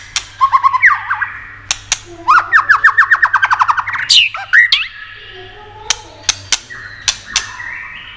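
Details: White-rumped shama singing with tail-flicking 'tạch' clicks, meant to stimulate other shamas: whistled slurs, then a fast run of about fifteen descending notes, a high rising flourish, and scattered sharp clicks against a faint electrical hum.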